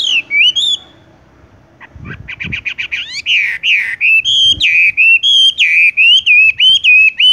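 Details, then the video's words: ["Horsfield's bush lark (wambie) singing in a rolling style: a rapid buzzy trill, then a run of whistled, slurred notes repeated about three times a second, each bending up and down."] "wambie tung roll gantung langsung ngerol"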